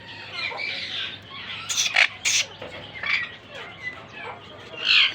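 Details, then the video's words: A pair of monk parakeets (Quaker parrots) in their first breeding season, meeting and calling: scattered harsh, buzzy squawks, with two loud raspy bursts in the middle and a strong screech at the end, over a steady low background hum. "My monk Quaker Parrot pair Try to talking & meet very well today in this 1st season"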